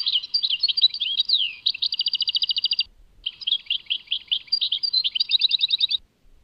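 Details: European goldfinch delivering Tadmait song, two long phrases of quick warbled, slurred notes, each leading into a fast, even trill of repeated clicks, with a brief pause between.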